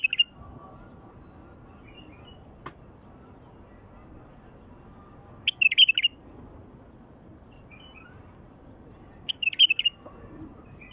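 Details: A wild bulbul repeats short, bright, warbling phrases roughly every four seconds, three in all, each a burst of quick liquid notes, with a faint click between. Song played to attract wild bulbuls.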